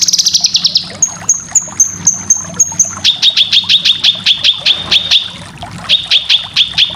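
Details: Cucak kinoy in a full training recording for competition birds. High thin notes are repeated, then a long series of sharp, evenly spaced chips, some five per second, with a low hum underneath.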